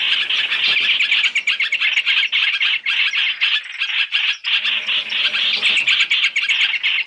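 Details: Chinese hwamei calls used as a trapping lure, three in one: rapid harsh squawking chatter, about four notes a second, with one short gap partway through.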